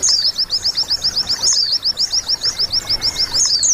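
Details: White-eye song used to stimulate caged birds: a brisk, regular series of thin, high chirps, about three and a half per second, with scattered overlapping twitters.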